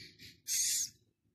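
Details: Philippine scops owl chick, six days old, raised at Prague Zoo: two faint breathy rasps followed by one louder, drawn-out hissing screech lasting under half a second, then quiet.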